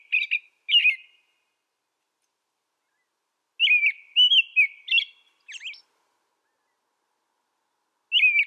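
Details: American robin singing: two short whistled caroling phrases, a longer run of rich warbled notes with a thin high squeak after a pause, then a new phrase starting at the end. Quiet background, no other sounds.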